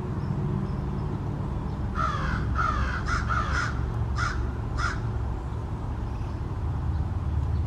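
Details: A small family of American crows in a backyard holds an extended exchange of calls: about six harsh, hoarse caws over three seconds, the first drawn out and the later clipped, over a steady low rumble.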